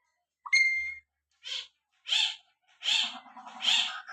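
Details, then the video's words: Common hill myna that calls out 'Allah', here giving a short voice-like opening note, then four harsh, raspy bursts spaced under a second apart, with a faint low hum beneath the later ones. "ময়না ময়না আল্লাহ আল্লাহ বলে ডাকে ময়না পাখি"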